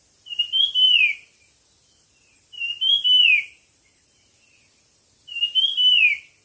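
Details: Songbird recorded for a singing contest, giving three similar whistled phrases roughly every two and a half seconds, each a bright level note sliding up then falling away, against a constant thin high-pitched background hiss.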